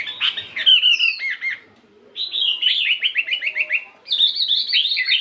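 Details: Caged fighting Chinese hwamei weighing 72 grams in morning singing practice: three bursts of song, varied whistles, then a fast series of repeated notes, then high ringing phrases.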